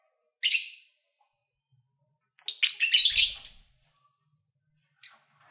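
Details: Pet lovebirds singing while playing and eating: one shrill chirp, then after a pause a long fast chattering burst of high chirps lasting over a second, ending with a faint squeak.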